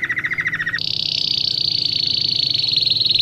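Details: Domestic canary, its song played for training young birds, delivers a short low pulsed trill, then shifts to a very high, dense, rattling roll held steadily for over two seconds; faint background hum.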